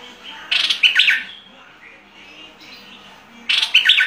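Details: Fierce-style bulbul song: two lively phrases of quick, sliding chirps and warbles, separated by a pause of about three seconds with faint softer notes in between.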